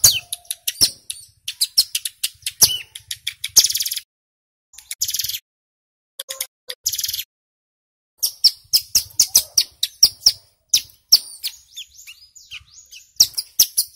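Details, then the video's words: Rapid-fire song of a male ciblek gunung (mountain prinia), used as a lure recording for wild birds: quick volleys of piercing high chips and buzzy notes, with a long pause midway before the bursts resume. "Suara CIBLEK Gunung GACOR PIKAT"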